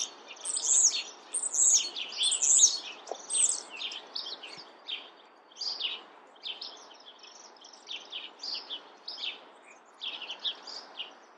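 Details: Chestnut-backed chickadee with other birds chirping: bright, very high chips and twitters, louder and tightly bunched at first, then softer scattered bursts about once a second against faint outdoor hiss.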